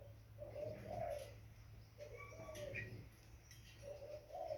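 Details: Young spotted dove making quiet, hollow two-part coos spaced about two seconds apart, with a faint high chirp in between.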